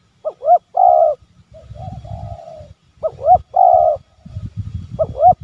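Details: A spotted dove calling, used to lure wild doves closer, repeats a mellow coo phrase, two quick rising notes then a longer drawn-out coo, about every two and a half seconds, over a low background rumble.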